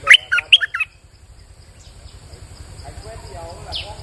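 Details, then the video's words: Lure song of a bulbul, recorded while it rains. A brief, loud, gurgling phrase of four quick notes is followed by quiet background chirps and a low pulsing hum. "Suara pikat merbah lekir gacor"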